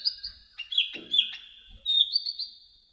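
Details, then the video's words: Olive-backed sunbird (kolibri ninja) singing for a training recording: high twittering and buzzy slurred notes, a faint low rustle near the start, then a bright rising whistle and trill. "MASTERAN KICAUN KONIN KOLIBRI NINJA"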